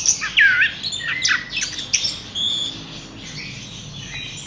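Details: Horsfield's bush lark kept in a cage giving a loud looping whistle, then scratchy chirps that fade into softer, rougher twittering.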